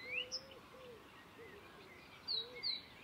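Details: Wild Blyth's reed warbler singing at Fairburn Ings Nature Reserve, UK, on 11 June 2020, mimicking other species: sparse high thin whistles and short sharp upslurred notes, with a low soft wavering tone underneath and quiet pauses between phrases.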